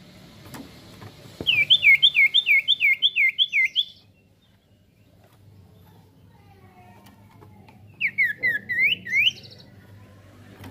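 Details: Golden-bellied gerygone singing actively as a lure to provoke other birds into song: two bursts of rapid, repeated looping whistles, about seven notes in the first run and five in the second, separated by a quiet gap with faint low background hum.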